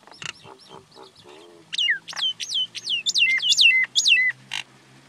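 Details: Common myna (Acridotheres tristis) giving a varied run of calls: low gurgles and clicks, then loud descending whistles repeated about twice a second, ending in a harsh rasp.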